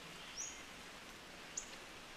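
Black-faced Grosbeak giving two thin, high, sharp call notes about a second apart, over a soft hiss of background forest noise.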